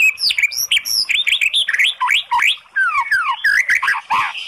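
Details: White-rumped shama lure song meant to provoke a listless bird into answering: a fast, varied run of rich warbled phrases, swooping and zigzagging up and down, with brief sharp chips between them.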